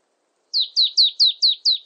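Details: Six evenly spaced, high, falling notes from a marsh tit begin after a short silence and continue to the end.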